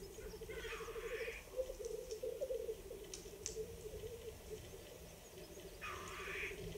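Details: Displaying black grouse at an April 2020 lek in the Ketmen Range, Kazakhstan, recorded on an iPhone: rolling low bubbling from several males, opening and closing with rasping, explosive hissed sneezes.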